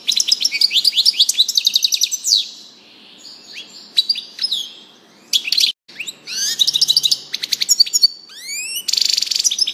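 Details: Singing European goldfinch: bright tumbling twitters, then scattered chips, and later a run of upward-sweeping whistled notes ending in a buzzy rattle; lively, varied phrasing with short gaps.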